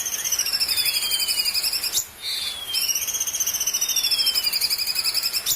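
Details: Bulbul master song, a filler-song recording meant for training other caged birds: high, rapid buzzy trills repeated in long runs, with thin descending whistled slides, broken by a short pause near the middle.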